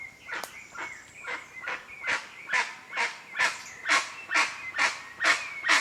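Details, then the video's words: Guan (jacu) recorded in the wild: harsh, loud, broadband yelping calls repeated about twice a second and growing louder, with a thin whistled note from another bird running steadily behind. "O CANTO DO JACU"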